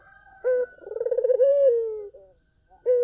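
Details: A collared dove delivers lure song to make other doves answer: a short clear note, then a rippling, pulsed coo that smooths into a gently falling tone, and another opening note at the end.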